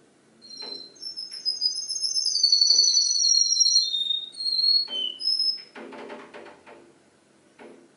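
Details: Singing canary mimicking other birds: sustained high whistled trills that slide downward, then short separate whistled notes, with bursts of clatter and knocking in the background.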